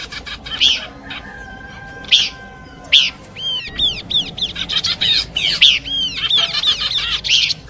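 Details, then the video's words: Horsfield's babbler singing in a combination track for bird luring: spaced loud chirps over a low steady tone, then a fast run of arching whistled sweeps and crisp chirps. "Nyanyian burung pelanduk semak kombinasi cocok buat pikat"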